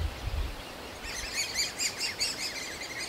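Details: Great spotted woodpecker nestlings in a tree cavity in an old aspen begging for food from their parents; after a second of quiet, a fast series of high, sharp chirps repeats about four times a second.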